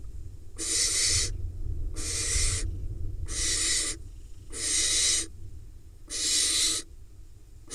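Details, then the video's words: Late-hatched barn owl nestling in the Hula Valley, Israel, hassling its father after he drops a mouse; five evenly spaced rasping hisses, each under a second, with quiet low hum between them. "Dad drops a mouse and then get harassed by the nestling"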